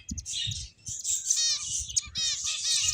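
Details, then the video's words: Playing finches chirping: continuous high twittering with quick trilled, rattling phrases and sharp tweets filling three seconds, a little soft low tapping below. "Beautiful Finches Chirping Sounds"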